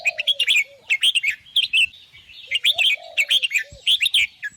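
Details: Short, lively warbling phrases from a red-whiskered bulbul, bursts of sweet chirping notes separated by brief gaps, accompanied by a softer, lower slurred whistle repeated several times beneath.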